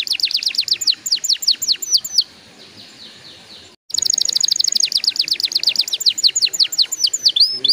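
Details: Canary song for encouraging young canaries to sing, with fast repeated downward sweeps, a softer faint stretch, a brief silence, then resumed rapid chirping trills.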